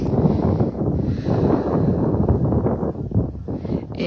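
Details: Gusty wind buffets the microphone with a steady low rumble and no animal calls.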